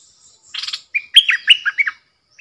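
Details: Decoy bulbul in a cage drawing in wild birds, 13 April 2021: a harsh buzzy burst, then a rapid string of five bright, bubbling whistled notes.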